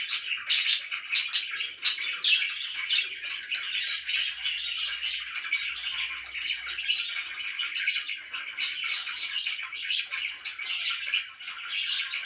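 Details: Morning chirping from pet budgerigars, a busy stream of rapid buzzy twitters and clicks with several sharp high squeaks near the start, never pausing.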